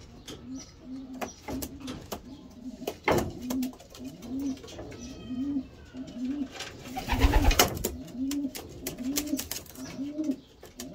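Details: Homing pigeon cooing in a steady series of low, rounded, rising-then-falling coos, roughly two every second, with sharp clicks and a burst of wing clatter partway through.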